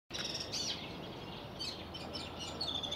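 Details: Syrian serin singing on a Catholic church campus in Anjar in April 2021: brief high, tinkling and jingling notes, some slurred, over steady broadband background noise.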